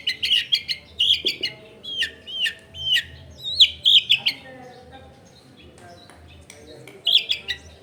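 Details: Long-tailed shrike singing as a lure for other shrikes, recorded at home in a busy neighbourhood: a lively burst of sharp chips and slurred notes, then a quiet stretch of background noise before a final short flurry.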